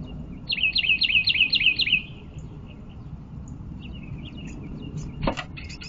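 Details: A wren at a backyard birdhouse beside woods and a creek, with young possibly in the nest, giving a quick run of about seven buzzy repeated chirps lasting under two seconds, then fainter chirps and a knock.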